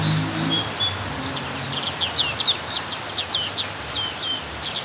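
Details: During a heavy downpour, a black-capped white-eye sings with more energy, giving a fast, uneven stream of thin high chirps and short slurred notes. A low hum is heard at the start, with rain hissing behind.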